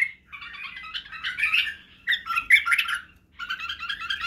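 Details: Chattering, warbled phrases of a white-eared bulbul, known locally as badrawi bulbul, meant for tutoring chicks in song, barwaz and wing-clicking; bursts of bubbling notes separated by brief gaps.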